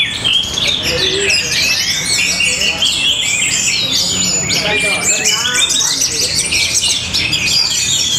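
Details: Orange-headed thrush, a caged competition bird from Tabanan, Bali, giving a powerful, stylish song of fast sharp whistles, twittering runs and occasional long thin notes in a steady uninterrupted flow.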